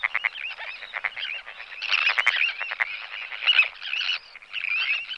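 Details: Sandwich terns in a colony giving alarm or display calls: a dense, continuous chatter of overlapping harsh, scratchy calls from several birds, with no pauses.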